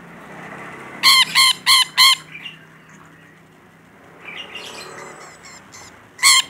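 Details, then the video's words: Rainbow lorikeet, a talkative individual, giving four rapid harsh screeches, then quieter twittering chatter, then one final loud rasping shriek near the end. "Suara Burung Nuri Pelangi Gacor"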